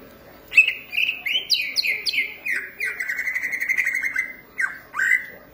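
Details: Green leafbird in song, a caged bird giving a rich sequence of clear, slurred whistles on a steady pitch, the notes rapidly repeated in a rolling phrase.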